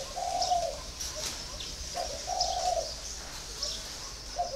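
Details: Spotted dove, caged for four years, cooing in soft, low, slightly trembling phrases about every two seconds, with constant high twittering from other birds behind it.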